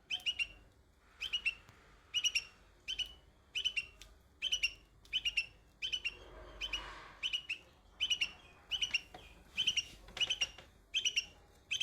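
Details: A young bulbul sings among white blossoms, producing a steady run of rapid chirp clusters, each of three or four sharp notes, repeated a little more than once a second in a fairly quiet setting.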